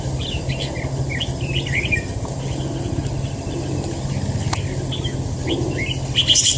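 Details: Trap-fighting red-whiskered bulbul chattering in quick warbled bursts during the first two seconds, then giving a few scattered notes. A constant low electrical hum sits under the calls.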